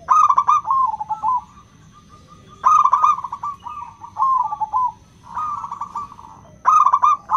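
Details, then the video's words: Local zebra dove with a crystal tone, a lure for doves slow to sing: four clear bursts of stuttering, bubbly coo trills separated by short quiet gaps. "Pancingan PERKUTUT LOKAL suara KRISTAL, untuk memancing perkutut susah bunyi"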